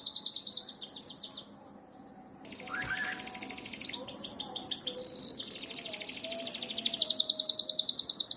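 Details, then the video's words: Canary singing in the morning, said to be calling the rain: fast, even trills of high buzzy notes, a brief pause with a softer tour, then a long rapid rolling trill that grows louder to the end. "Nyanyian Pagi Kenari memanggil hujan.."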